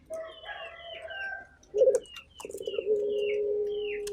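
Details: Local turtle dove starting a rolling coo that settles into a long steady hoot, after a brief rough note, amid many thin whistled chirps of other birds.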